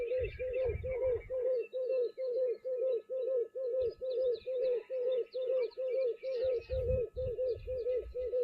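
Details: At a bushveld waterhole at Djuma on 16 January 2024, a speckled pigeon gives a long, steady run of deep, hollow coos, about two each second, with soft chirps from other birds and low murmurs behind.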